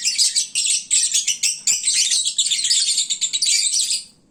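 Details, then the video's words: Sleepy lovebirds after feeding at midday: rapid high-pitched twittering pulses, closely packed and overlapping, fading out at the end. "Kicauan Lovebird saat mengantuk. Duuh berisiknya !!!"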